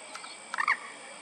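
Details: A grey-headed swamphen (purple swamphen) in Srinagar, where adult and sub-adult birds are present, gives one short, harsh nasal squawk over a faint steady hiss.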